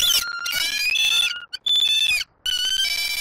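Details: Wild bald eagles at a nest in Southwest Florida on 5 February 2024, where the male delivers a headless fish and the female feeds the eaglet: loud, high, ringing harmonic calls in overlapping bursts, with brief gaps between them.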